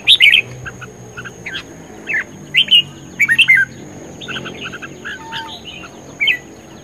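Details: Red-whiskered bulbul in vigorous competition singing, short bright warbled phrases of bubbly notes rising and falling, given in bursts separated by pauses, with faint softer chirps between and a steady high electrical whine behind.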